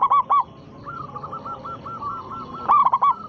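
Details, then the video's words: Local zebra dove cooing loudly as a lure for rival doves; short coos open the clip, a run of soft repeated coos follows, then a strong rolling phrase near the end. "perkutut lokal gacor suara besar pancingan sekali putar pasti langsung nyaut"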